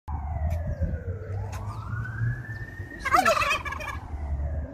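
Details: Turkeys gobbling along with fire truck sirens: a brief, rattling gobble midway through, set against rising and falling sirens and a low engine rumble.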